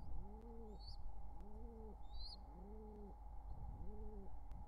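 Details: Four low, arched cooing notes, evenly spaced just over a second apart, from a wild pigeon pair in courtship near their nestlings, summer 2023; sharp high chirps from a smaller bird break in early on.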